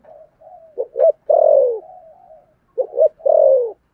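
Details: Spotted dove, thổ sấm voice style, in hurried cooing. Soft murmured notes lead into two phrases of a double stutter and a long, loud descending coo, with quiet trailing hums between them.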